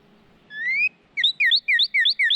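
A Northern Cardinal sings a long, clear rising whistle, then a quick string of six bright, slurred notes about five per second. No other sounds.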